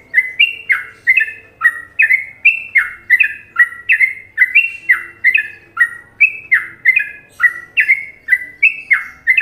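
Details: Trucuk, the sooty-headed bulbul, from Indonesia, singing a well-loved Trucukan rhythm: loud, clear, bubbly notes that step up and down in pitch, delivered in brisk, evenly spaced pairs throughout, over near silence.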